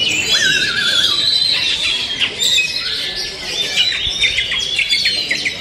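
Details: Oriental magpie-robin (kacer) song: a wavering trilled whistle opens, then a busy stream of clear whistles, chips and quick rising and falling notes, continuous and loud throughout, with a brief spoken word afterward.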